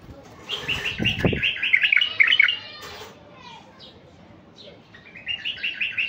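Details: Stud male Iraqi bulbul of a colour mutation, singing to draw in wild bulbuls. A thump precedes a long, tumbling phrase of rich chirps, then a pause and a fresh sequence of quick repeated notes near the end.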